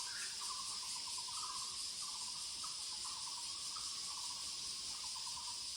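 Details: Taiwan barbet (Muller's barbet, Psilopogon nuchalis) in woods gives a steady series of low, hollow, rolling notes, several per second, over a constant high hiss of insects.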